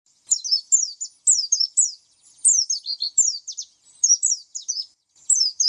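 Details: Oriental white-eye song: bursts of high, thin, downslurred chirps grouped in quick phrases of two to four notes, separated by brief pauses, over a clean silent background.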